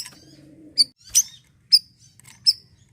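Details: Asian glossy starling 'siri-siri' gacor notes, used for untrained birds: four sharp, high chips spaced widely, one harsher and more rasping, after a soft low murmur at the start.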